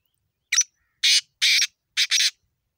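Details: Black francolin, known locally as kala tetar, giving a loud, harsh, grating phrase of five rasping notes, the last two run close together, with silence around them.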